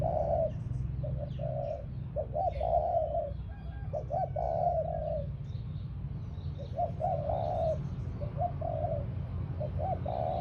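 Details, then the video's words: Cooing spotted dove used as a ground decoy, phrases of quick short notes leading into fuller coos, repeated with short pauses over rumbling background and faint high chirps. "Cu gáy mồi đất"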